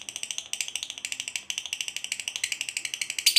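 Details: Fighter lovebird chatter used as a lure for other lovebirds: a quick, rattling series of high, harsh pulses with brief breaks, ending in a louder burst.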